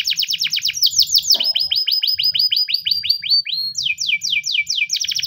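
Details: Morning training song of a Spanish timbrado canary, with long runs of quick downward-sweeping whistled notes repeated several per second, shifting to a higher, faster series near the end; low background hum.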